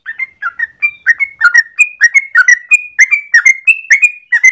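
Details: Yellow-vented bulbul delivering a long morning song used as a lure or training master: fluty, slightly whistled notes repeated about twice per second, alternating rising slides and lower burbling notes.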